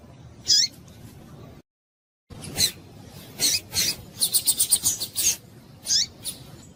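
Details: Female Double-collared seedeater call played to make males sing: high, thin notes sweeping downward, a burst of rapid raspy chips in quick succession, then another descending note, after a short silent break.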